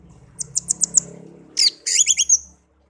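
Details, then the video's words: Pet songbird, taken from a garden and raised until it could sing, gives a short series of high chips, then a buzzy twittering phrase, over a faint low hum. "burung kicau peliharaan"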